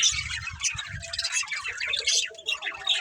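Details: Budgerigars of a family group at play, chattering in busy, scratchy bursts of chirps and squawks, with soft low thumps of movement in the first second.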